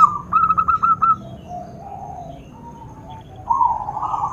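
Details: Zebra dove call aimed at provoking other doves to respond: a quick burst of five or six clear coo notes lasting about a second, then softer, drawn-out distant cooing at the end.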